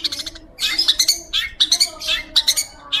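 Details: Long-tailed shrike in full, clear song, used for tutoring white-rumped shamas: clusters of sharp, bright chirps in quick runs of three or four, separated by brief pauses, over faint low background hum.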